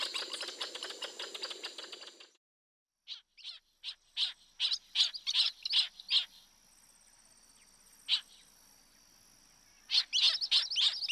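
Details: Wild Northern jacanas, a male with chicks foraging as a family; a rapid harsh chatter gives way to spaced, sharp, high squeaky notes, then a brief pause and another quick burst, with a thin steady background tone.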